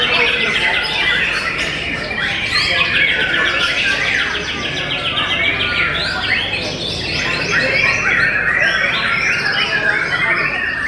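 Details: White-rumped shama from Tasikmalaya at a bird singing contest, delivering a sharp 'sepur' strike style; dense, rapid whistled and chattering phrases run without pause, overlapped by other contest birds and a murmur of voices.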